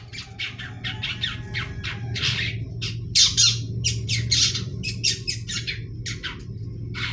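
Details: Juvenile long-tailed shrike practising its song with ngeriwik chattering: rough, squawky rasping notes repeated roughly every second, some doubled, over a steady low hum.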